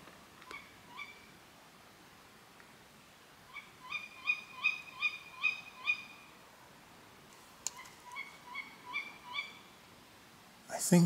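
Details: Tawny owl alarm calls heard at night, 24 June, on returning home: sharp, nasal, slightly rising notes in quick runs of six or seven, about three a second, over a faint night hiss.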